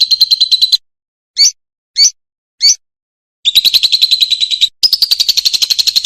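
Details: Lovebird song used as a tutor recording for young birds: long bursts of rapid, buzzy chattering notes around a steady high pitch, broken by a few short, separate upward chirps, with abrupt silences between sections.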